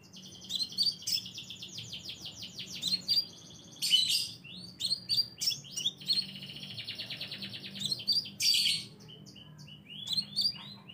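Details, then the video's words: A scarlet minivet lure call: fast, thin, high twittering bursts of sweet whistled notes, repeated every second or two, over a faint low hum. "suara pancingan burung sepah raja"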